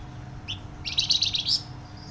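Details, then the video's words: Loud, dense song of a flamboyan bird: one short rising note, then a rapid chattering string of high, slightly buzzy notes for about three quarters of a second, ending on a sharper upslurred note. "Burung Flamboyan gacor suara nyaring dan rapat"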